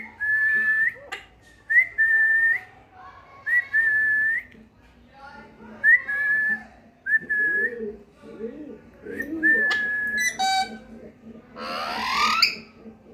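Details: Pet parrot, locally called mitthu, giving a series of clear, level whistled notes, each about half a second long and repeated roughly every two seconds. Short chattering bursts fall between them, and a harsh rasping squawk comes near the end.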